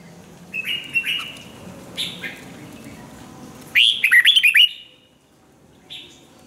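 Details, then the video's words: Red-whiskered bulbul song for voice training. A few faint, slurred whistles lead into one strong, fast phrase of five or six chirpy, up-and-down whistled notes, then a soft note after a pause. "chào mào luyện giọng hót hay"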